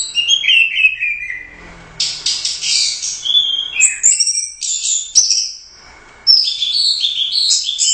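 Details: Orange-headed thrush, a competition champion bird, delivering rich whistled song with dense bursts of high, rapidly changing notes, a short quiet gap, then more loud, jumbled phrases.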